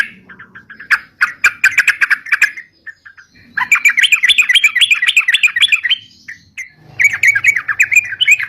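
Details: Sooty-headed bulbul singing a lively ropalan-style song used as a bird-catching lure: sputtering notes build into a run of rising, wavering whistled phrases, followed by another quick chattering run.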